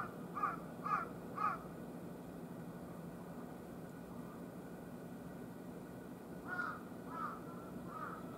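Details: Wild carrion crow calling on a hot August 14 morning near a utility pole where three birds gathered: three sharp, evenly spaced caws, a pause of several seconds, then three softer, more distant-sounding caws, with constant low background noise.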